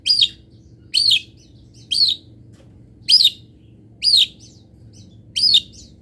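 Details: Long-tailed shrike, local Indonesian type, singing a repeated harsh, downslurred high note roughly once per second, each burst short and scratchy, over a faint low background hum.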